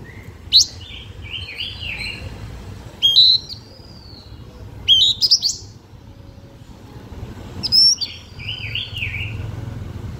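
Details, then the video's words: Blue-winged minla giving a lure song to attract birds: sharp high chip bursts, each followed by a long falling whistle or a bouncy, wavering warble, in four phrases about every two to three seconds. "Chim khướu lùn cánh xanh hót mồi cực đỉnh/Khướu lục cánh xanh hót căng lửa kích mồi siêu chuẩn"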